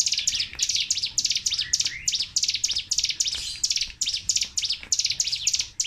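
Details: Sunda warbler (ciblek gunung) singing nonstop in rapid, energetic 'tembakan' bursts, used as a lure and master recording for songbirds: dense, high, sharp chirps and trills repeated several times a second without pause, with light background noise.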